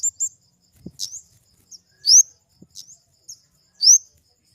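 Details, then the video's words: Flowerpecker giving sparse, very high, thin notes: short upslurred whistles and quick ticks spaced about a second apart, with a soft flutter-like thump partway through. "Suara burung kemade"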